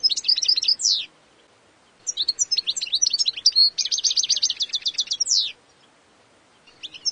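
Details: Wild European goldfinch singing: twittering phrases with a drawn-out descending note, then a long strophe of chirps including a fast run of evenly repeated buzzy notes ending in a downward sweep.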